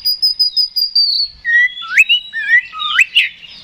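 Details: Oriental magpie-robin singing to provoke a rival to fight: a long high whistle slowly slides lower, followed by several loud upward-swooping whistled notes with sharp accents, all clear and close.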